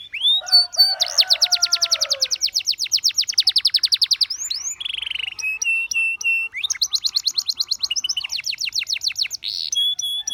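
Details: Canary song that entices fellow birds to sing: lower warbling notes lead into a long even roll of rapid strokes, a buzzy held tone with pips, then a second fast trill and quick downslurred flourishes.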